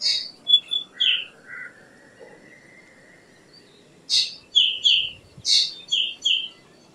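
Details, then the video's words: Black drongo whistles open the recording, with a long, thin rising tone behind them. After a lull comes a run of harsh bursts and falling whistled notes. "Black Drongo Song ! Black Drongo Call ! Black Drongo Sound ! Black Drongo Vocals ! Voice ! Singing"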